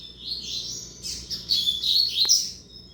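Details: High twittering song from a young male double-collared seedeater bred from a tournament singer: one continuous run of sharp chirps and buzzy trills that grows louder toward the end, over faint background hum.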